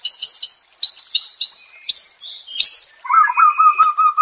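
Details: White-rumped shama singing, offered as calming therapy for a stressed bird: short high chirps repeated about twice a second, a sliding buzzy phrase, then lower warbled notes.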